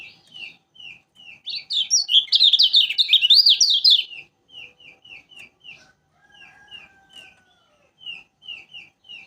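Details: Yellow flowerpecker of Lombok (kecial kuning), said to sing tirelessly. A few soft high notes lead into a loud, fast, chattering warble lasting about two seconds, followed by spaced, short, downslurred whistles.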